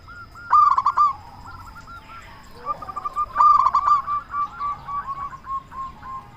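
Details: Local zebra dove singing as a lure to provoke answering doves. Two strong trilled coo bursts about three seconds apart, followed by a run of softer, evenly spaced rolling coos.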